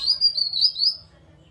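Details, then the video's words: Grey-cheeked bulbul lure call in the 'nyaut' style, meant to prompt quiet kept birds to start singing: a loud, high, wavering whistled phrase of about four linked undulating notes, lasting about one second, then silence. "Pancingan Burung Kinoi agar ikut Bunyi Nyaut"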